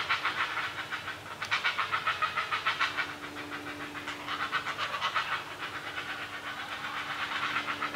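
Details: Heron family at feeding time, the young great blue herons raising an awful racket: fast, rasping chatter of repeated notes, steady over eight seconds, with a faint constant hum beneath.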